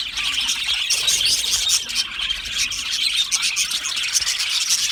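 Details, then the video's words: Australian budgies in an aviary colony, lively continuous chirping and warbled chatter from many birds, loud and steady throughout. "Australian Budgie parrot chirping sounds"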